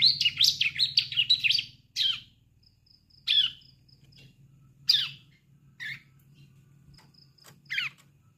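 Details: Juvenile bar-winged prinia (ciblek) learning to sing, played to stir adult ciblek into song: an opening cluster of rapid high twitters, then single sweeping chirps spaced a second or more apart with faint thin whistles and low hum between.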